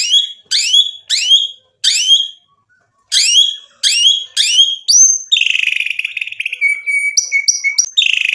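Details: White-rumped shama song, loud repeated downward-sweeping whistled phrases in bursts about every half second, followed by a longer buzzy warbling trill and sharp high notes.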